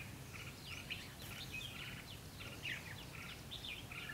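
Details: Red-whiskered bulbul at Ba Thá, a decoy bird singing its fighting song during trapping, outdoors; a fast jumble of short chirpy warbled notes and buzzy phrases repeated several times a second over steady background hiss.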